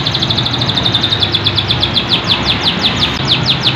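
A canary sings a fast, sharp trill of high, repeated, sweeping notes, several per second, over a low steady background hum.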